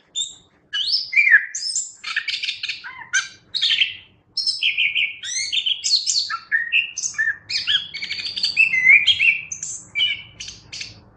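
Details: Anis kembang, the chestnut-capped thrush, in full continuous song recorded as training material for songbirds: dense sequences of sharp whistles, warbles and scratchy notes that jump quickly between pitches, with short silences, over a quiet background.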